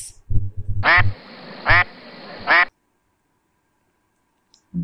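Three loud, nasal duck quacks about a second apart, each harsh and buzzy, with a brief spoken voice just before.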